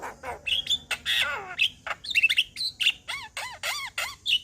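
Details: Male Javan myna song, described as making other Javan mynas start singing: varied mix of harsh chattering notes, squeaky whistles and repeated downward-arching creaky calls, loud and busy throughout.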